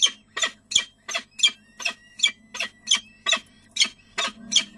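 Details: At a Peregrine falcon nest in De Mortel, Netherlands, late morning on 6 May 2009, the male arrives with prey during a feeding. About thirteen loud, rasping, evenly spaced squawks sound over five seconds above a faint low hum.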